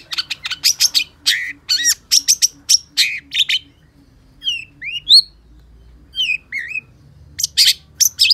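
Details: Gacor song of a long-tailed shrike (cendet pentet): quick harsh notes in clusters, then a softer stretch of slurred, rising and falling whistles, then chatter resuming.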